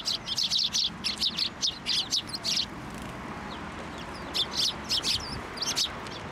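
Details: Shrine sparrows gathering on a feeding hand, 18 March 2024: a fast run of bright chirps for over two seconds, a lull, then further scattered chirping bursts.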